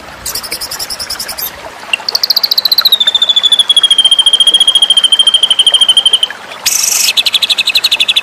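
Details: Murai batu (white-rumped shama) in a contest-oriented masteran series: a brief high rattle, then a long, rapid, pulsing trill that dips and holds steady, and finally a harsh, dense burst of buzzy notes.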